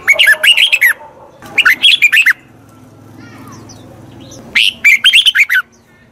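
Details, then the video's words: Red-whiskered bulbul singing, meant to train a wild-caught bird: three phrases of rapid, chirpy whistles, the first two close together, then a pause before the last. "Tiếng chào mào luyện giọng chim bổi. นกปรอดหัวโขน"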